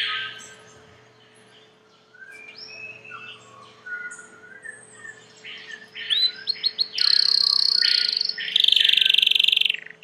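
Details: Domestic Belgian canary song that begins with quiet, scattered whistled phrases, then builds into loud rolling trills and fast high buzzy rattles in the final seconds.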